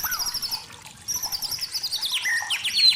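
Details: White-rumped shama from the forest, high thin repeated chirps and slurred whistled notes, fairly quiet, with a soft background hiss.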